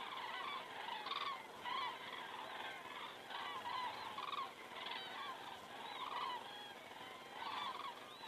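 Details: Common cranes flying over an Estonian crane camera at 19:10 on a September 2017 evening: a dense chorus of resonant trumpeting calls from several birds, pulsing irregularly with louder bursts every second or so.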